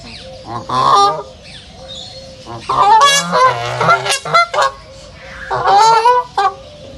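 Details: Ducks at a reserve honk loudly in bursts: a nasal call, then a busy stretch of rapid overlapping quacks and clucks, and a final honk near the end, with a quiet outdoor background.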